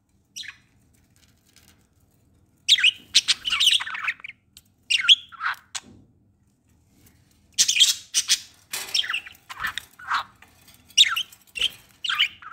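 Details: Budgerigars around hatching eggs and a day-old chick chatter in bursts of harsh, scratchy chirps and squawks, with short quiet gaps between.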